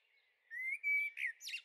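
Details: Young common blackbirds in a garden on the Veluwe, Netherlands, on 30 April 2014: a thin, drawn-out whistle that rises slightly, then short rough chirps and a harsher noisy burst at the end.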